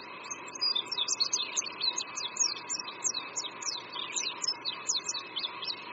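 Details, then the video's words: Song of an Oriental white-eye at a creekside campus in Qingdao, Shandong, China, in spring: a long, lively stream of high, thin, zigzagging twittered notes over a low steady background hum. "Oriental White-eye Singing"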